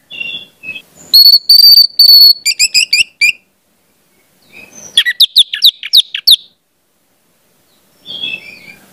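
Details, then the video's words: Orange-headed thrush, singing as a lesson for young spotted birds. A sustained high whistle leads into rapid repeated chips. After a pause comes a fast jumble of sharp descending notes, with soft warbling at the start and end. "pancingan anis merah, trotol dengarkan ini pasti jadi calon gacor"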